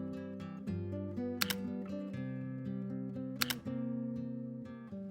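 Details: Gentle strummed acoustic guitar music with a couple of sharp camera-shutter clicks, and no animal voice.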